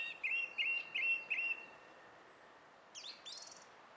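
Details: Song thrush, 20 April 2016: four clear repeated phrases at regular spacing, silence, then a harsh, high, buzzy flourish.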